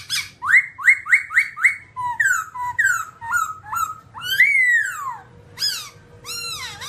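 A babbler sings loud, clear whistles: five quick rising notes, then varied slurred phrases and a long falling whistle, with a faint low hum behind.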